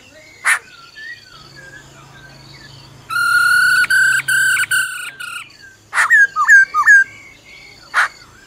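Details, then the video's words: Black-throated laughingthrush forest song with the female's rolling trill: sparse harsh notes, then a long buzzy rich-toned trill broken into pulses for about two seconds, followed by fast whistled slurs and raspy bursts. "Khứu bạc má hót giọng rừng kèm theo tiếng mái ro ro"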